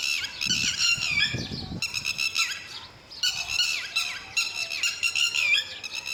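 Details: Lapwing guarding its chicks, male and female sharing the watch; shrill, insistent bursts of stuttering high calls with short gaps between, and a brief low thump near the start.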